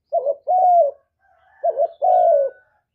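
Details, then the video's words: Spotted dove call meant to prompt other doves to answer: two soft, low coo phrases, each a brief opening note then a drawn-out, slightly falling hoot, clean and close. "Chim Cu Gáy Kích Nổi Cực Phê, Nghe là gáy theo liền"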